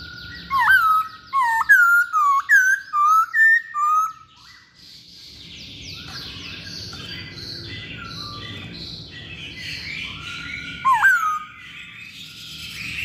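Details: Masked laughingthrush in lively song, used as a lure for birds: about six sharp whistled notes dipping then rising, delivered in a rapid burst, followed by a long stretch of faint background chatter and one last loud whistle.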